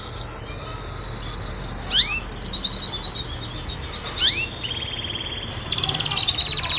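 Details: Calling female canary in breeding condition: short high whistled notes and clipped chirps, two quick downward sweeps near two and four seconds, ending in a rapid buzzy trill.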